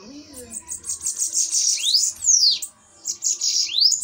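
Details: Bananaquits fighting in a duel: a continuous high sizzling trill ending in a loud downward-then-upward swoop, followed by a short second trill with another rising slur; faint low murmur beneath.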